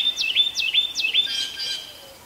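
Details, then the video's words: A Carolina wren at Pheasant Branch Conservancy sings three quick, loud, ringing phrases of sweeping whistled notes, about two and a half per second, over a thin steady high hum. "Singing Carolina Wren"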